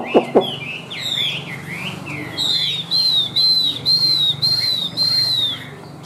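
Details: Two sharp clicks open this song from a white-winged, white-tailed caged Chinese hwamei, known as a high singer. Swooping whistles follow, then six evenly spaced, loud, level whistled notes over a faint hum.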